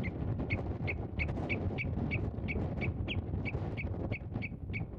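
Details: Common redshank by its nest in farmland meadow, with a camera placed 8 metres from the nest. A steady series of about fifteen sharp, high piping notes, evenly spaced roughly three per second, over heavy low wind noise.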